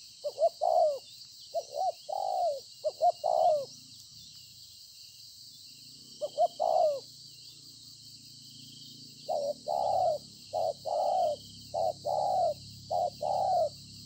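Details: A wild-caught spotted dove, noted as a good cooer, recorded 26 September 2020. Bursts of soft, low coos, each a few short notes followed by a longer sliding one, separated by a quiet gap of several seconds, over a constant high hiss.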